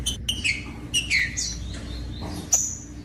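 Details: Captive rufous-bellied thrush singing, song meant to warm up and stimulate other caged thrushes: short whistled phrases with downward slurs and a few sharp high notes, separated by brief pauses over a faint low hum.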